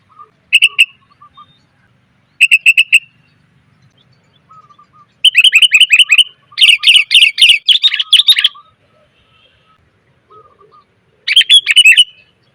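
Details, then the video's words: Female sooty-headed bulbul calling to attract males: short chirp bursts and a long, rapid chattering series of bright notes, with faint lower notes from another bird between them. "suara pikat burung kutilang betina,TOP bangat memanggil pejantan"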